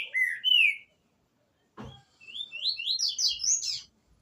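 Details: Green-winged saltator singing as the season begins: two slurred whistled notes, a short pause and a dull knock, then a rapid climbing series of bright whistles ending on high notes.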